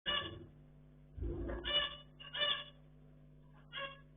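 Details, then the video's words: Pet zebra finches playing indoors: loud nasal, buzzy calls in short bursts, four separate calls across four seconds, each with a rich, harmonic honking tone, over a constant low electrical hum. "Zebra Finches | Beautiful | Sounds"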